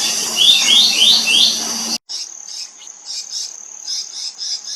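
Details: Black-naped monarch family calling: a quick run of four sharp, rising high notes over a low hum, then a break and softer scattered high chips against a steady thin whine.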